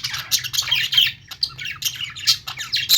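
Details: Chattering budgerigars give quick runs of sharp, high chirps and brief squawks in choppy bursts separated by short pauses, with a low background hum.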